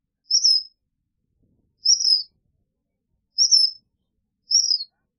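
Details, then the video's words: Four evenly spaced, high, slightly downslurred chips from a black phoebe, one every second and a half, clean against silence. "Black Phoebe Song! Black Phoebe Call! Black Phoebe Sound! - Mosquero Negro Canto"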